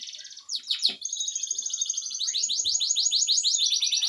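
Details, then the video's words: Canary singing loudly: a few jumbled, sharp notes, then a long, even, very fast trill of high, buzzy, repeated elements that runs on to the end. "burung kenari suara keras"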